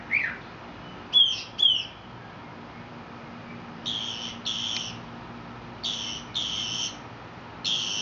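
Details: Mockingbird song recorded in Mexico: a single falling whistle, two sharp high chirps, then pairs of harsh, buzzy notes repeated with pauses between them.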